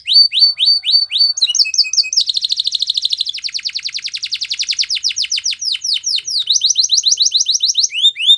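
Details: Spanish Timbrado canary song for training canaries: quick downslurred notes give way to long, fast metallic trills and rolls, repeated rapidly throughout, ending with sharp swept notes.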